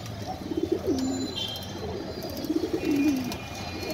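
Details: Pigeons cooing while eating food. Two low, rolling coos, each falling at the end, come about two seconds apart against a faint room background.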